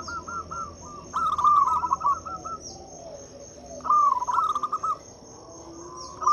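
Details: Zebra dove of a local strain singing as a lure for quiet doves: quick rolling coo phrases of clipped, bubbly notes in two main bursts, with faint chirps from other birds and a constant high-pitched insect drone.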